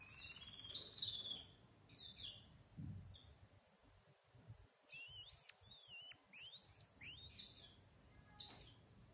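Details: Red-whiskered bulbul (Pycnonotus jocosus), call.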